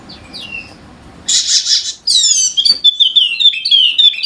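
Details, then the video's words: Golden-headed Wallacean white-eye, a Sumbawa endemic, sung as a lure for reluctant singers: a faint opening note, a harsh hissy burst, then a cascade of bright descending whistles running into fast chattering twitter. "Pancingan Khusus Untuk Burung Pleci Wallacea Yang Malas Bunyi Agar Rajin Bunyi Gacor!!!"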